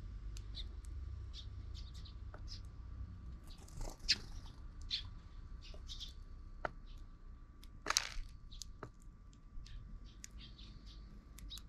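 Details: Sparrows gathering at a recently relocated park, energetic and often fighting; short, high, sharp chirps scattered irregularly through the clip, some in quick clusters, over a steady low background rumble.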